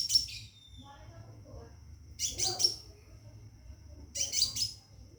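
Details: Caged Scarlet minivet calling to a female for mating: three short bursts of shrill, crowded chirps about two seconds apart, one followed by a brief falling whistle, over a thin lingering high tone.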